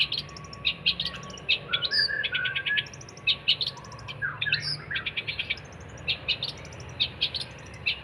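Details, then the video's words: Cendet, the long-tailed shrike, recorded as a 'gacor' tutor for songbirds: varied song mixing sharp chip series, squeaky slurred whistles and scratchy notes, over faint background noise. "kicauan cendet gacor"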